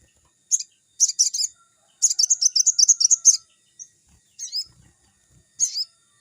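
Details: Crimson sunbird in full song, used as a lure to train young birds; high, thin chattering trills in short bursts, then a longer rapid run of sharp notes, followed by scattered single chips.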